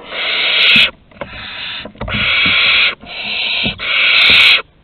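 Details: Barn owl chicks begging at a prey delivery at the nest entrance, Théding, 15 August 2020: four strong, snoring hisses, each close to a second long, separated by brief pauses.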